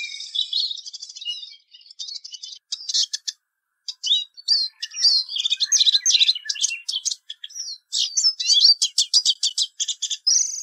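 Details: Eurasian siskin delivering a long, lively song of fast twittering, clipped rattling notes and buzzy trills in pulsing bursts with short gaps.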